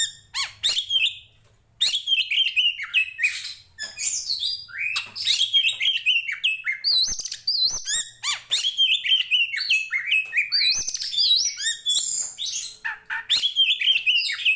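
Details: Oriental magpie-robin (kacer), a poci Tretes fighting bird in full song, used to train the mettle of similar birds; dense varied whistled and chattering phrases, rapid notes between high slurred whistles, a short pause near two seconds.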